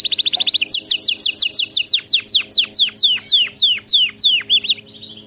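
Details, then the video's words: Canary song for teaching a pet canary to sing: a rapid high trill followed by a long steady series of downward-sweeping whistled notes that slow and soften toward the end. "صوت كناري مذهل لتدريب وجعل طائرك الكناري يغرد بلا توقف canary singing training bird"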